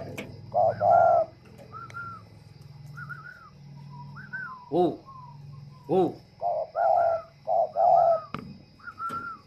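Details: Captive spotted dove moulting yet still cooing well, kept at a bird garden in Ba Vì, Hanoi, northern Vietnam: low hollow coos in short bursts between higher whistled notes from another bird, with sharp clicks and faint background hum.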